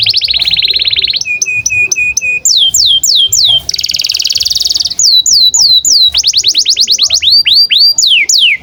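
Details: Canary song intended as a master for young canaries: a buzzy trill, a row of short repeated whistles, sweeping downslurs, another dense buzz, then quick rolling trills and loud falling whistles.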